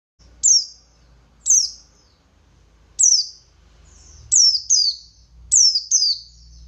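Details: Buxtoni white-eye in energetic ngalas-style song with tembakan notes, played to provoke other white-eyes into answering; high, thin descending whistles, single then paired, repeated about every second or so, with faint low rumble beneath.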